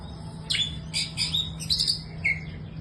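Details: Young Oriental magpie-robin (kacer) singing: a few loud, harsh, buzzy bursts spaced about half a second apart, then a short clear whistled note near the end, over a steady low electrical hum.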